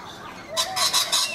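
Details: Backyard in Brisbane, Australia, where rainbow lorikeets feed in a guava tree: a short, loud burst of four grating screeches in quick succession, after a quieter lead-in.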